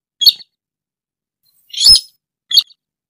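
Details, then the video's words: Sintar rail, or burung tikusan, on a lure recording for trapping: a short scratchy chirp, a long pause, then a louder drawn-out harsh note and a final clipped chirp. "Suara burung sintar,jitu buat pikat"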